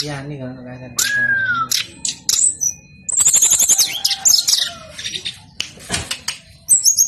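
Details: Brown-chested jungle flycatcher song used as a lure for reluctant singers: a low steady tone opens, then a bright whistled slur, followed by rapid high trills and chattering notes repeated about four per second.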